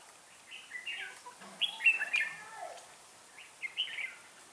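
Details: Red-whiskered bulbul used as a decoy bird in trapping, singing short, rich warbled phrases of slurred whistles, a brief opening phrase, a louder run of notes near the middle and a final burst, in quiet surroundings.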